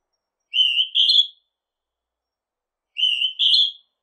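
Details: Northern hawk-cuckoo giving two high, shrill whistled two-note phrases, each note rising slightly in pitch with the second note higher, the phrase repeated after about two and a half seconds; no other sounds.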